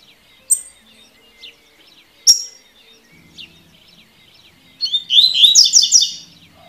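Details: Tui tui song of a double-collared seedeater, for training birds. Isolated sharp high chips come first, then a dense, rapid run of bright, warbling notes for about a second and a half, with faint birds behind.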